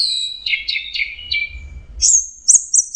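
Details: Orange-headed thrush giving a series of descending slurred whistles, then a switch to very high, thin, repeated notes in short pulses, with low rumble beneath.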